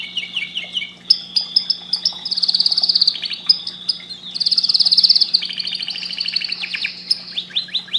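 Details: Canary song played to stimulate breeding: fast chains of descending chirps give way to long buzzy trills high in pitch, with sharp note bursts between phrases and a steady low electrical hum underneath.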